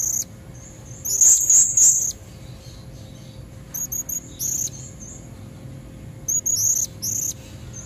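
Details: Female blue-crowned hanging parrot calling to pull in red-throated males: a loud cluster of high squeaky notes, then short scattered chips and paired shrill squeaks at intervals.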